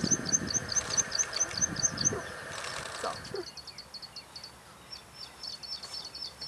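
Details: At Dianbao River, Taiwan, on 2 June 2019, a Plain prinia (subspecies flavirostris) gives quick high ticking notes for two seconds over rumbling noise. After a pause, a softer, more broken run of similar notes follows in quieter surroundings.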